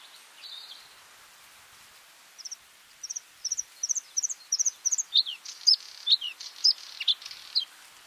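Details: Bluethroat song: a soft note, then varied sharp high chips and ticks, with loud notes dropping in pitch, about one each half second in the second half.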